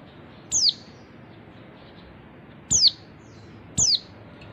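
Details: Female Oriental white-eye giving three thin, high, downward-sliding chirps at irregular intervals, each a fraction of a second, over a faint hiss; used as a lure call to provoke males into singing.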